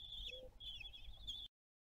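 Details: Common kestrels during a meal on the nest balcony at Théding, France, 20 June 2022, nest webcam; two short high quavering trills separated by a brief pause, over low rumbling background.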